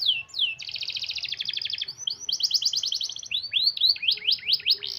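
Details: Local canary singing a long, tight rolling song used as a lure for canaries slow to sing: downslurred whistles, then dense buzzy trills at mid-high pitch, then a run of sharp rising and falling notes.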